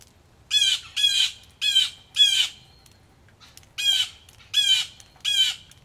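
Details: Several agitated blue jays calling at a Missouri farmhouse front porch in the rain: loud, harsh, raspy jeers in two bursts, four calls then three, each short and buzzy, with a faint low rain hiss beneath.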